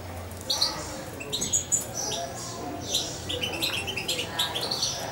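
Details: A roughly two-month-old European goldfinch reared by hand makes scattered thin, high chirps and short twittering phrases at irregular intervals over low background hum.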